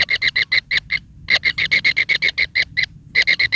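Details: Begging kingfisher chick, fed by its mother with large rats; quick runs of harsh, clipped notes, about three per second, in short bursts separated by brief gaps.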